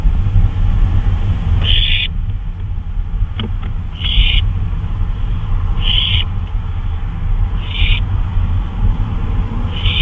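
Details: Owl out on a night flyabout, 2:39 AM, 26 May 2013, giving five brief rasping screech-like bursts spaced about two seconds apart, with a constant deep rumble underneath and a faint click midway.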